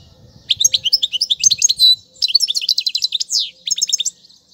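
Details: Goldfinch singing, a recording for teaching chicks: lively twittering phrases of sharp chirps, a short buzzy note near two seconds, faint low rumble underneath early on.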